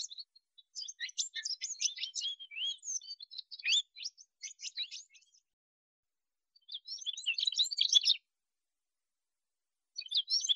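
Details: Song of a male Atlantic canary, a quick jumble of high twittering notes and short slurred whistles running about five seconds, then a pause before another dense chattering burst and the start of a third.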